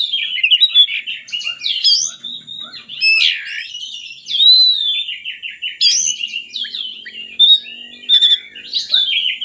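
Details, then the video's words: Oriental magpie-robin singing as a lure for sluggish birds: continuous rich warbling with rapid trills, loud slurred whistles and sharp high notes, energetic and varied. "suara burung kacer bagus untuk pancingan kacer malas bunyi"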